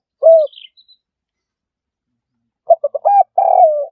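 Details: Spotted dove (Spilopelia chinensis) cooing, used as a trapping sound: a single soft low coo, a two-second pause, then a quick stuttering series of low coos ending in a longer drawn note.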